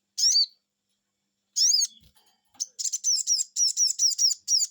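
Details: Crimson sunbird reacting to a lure: two separate shrill 'cuiit' notes, then a fast run of repeated high chirps, roughly five per second.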